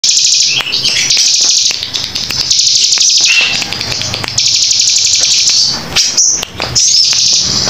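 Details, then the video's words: Bar-winged prinia singing in the 'nembak rapat' style, rapid dense bursts: long, very high, buzzy trills, each lasting about a second, run almost without a break, with short sharp ticks between them and a faint low hum beneath. "cigun nembak rapat"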